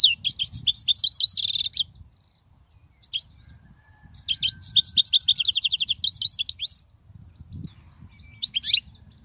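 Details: Song of a European goldfinch, used to teach young goldfinches: long runs of rapid twittering and fast trilled notes, a dry buzzy rattle, pauses, then renewed twittering phrases.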